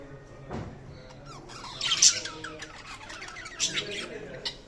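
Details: Budgerigars chatter with quick, scratchy high chirps and warbles, with sharper squawks mixed in.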